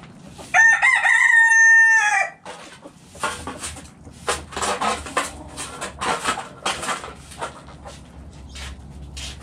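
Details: Backyard coop with chickens eating: a rooster's loud crow of about one and a half seconds opens, then many quick pecking taps, rustling and soft clucks fill the rest.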